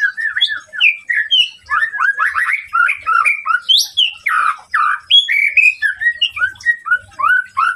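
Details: White-rumped shama singing to rouse a rival's aggression, a continuous stream of varied whistled and slurred notes, rising and falling, delivered in quick succession with a few very high sharp notes mid-phrase.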